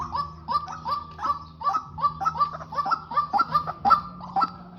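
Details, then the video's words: Male and female white-breasted waterhens used as a decoy pair in trapping call steadily. Short hollow notes repeat rapidly, each a quick upward-bent yelp, forming a dense and uneven chorus over faint low hum. "Quốc mồi cặp trống mái canh"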